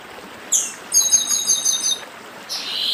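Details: Northeastern chestnut-bellied seed finch in dedim song: a downslurred whistle, a quick rattle of repeated high notes, then a slurred whistle, over flowing water.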